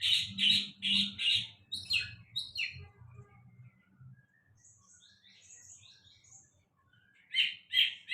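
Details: Sulingan laut singing a quick series of loud high notes, then soft descending twitters and faint distant chirps, ending with renewed loud repeated notes; low hum underneath.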